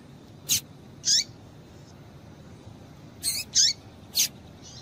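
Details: Female double-collared seedeater calling to excite males: a clipped high tick and a slurred chip, a pause, then a quick cluster of four high chips and ticks, with a faint note at the end over steady hiss.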